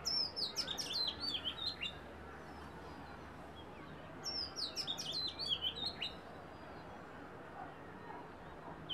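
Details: An Oriental magpie-robin sings two lively phrases of bright whistled notes, rapid and jumpy with falling slurs and quick upward flicks. Each phrase lasts about two seconds and is followed by several seconds of quiet background hiss.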